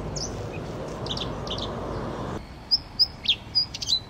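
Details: Red-spotted bluethroat giving a few faint notes through steady background noise, which then drops away; clearer sharp, high whistled notes follow at intervals of about a third of a second.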